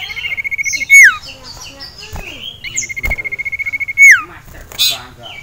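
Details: Caged male common iora, agitated on seeing a rival and a female, repeats a long, steady, finely trilled whistle that ends in a loud, steep downward slur, given twice, with soft chirps in between.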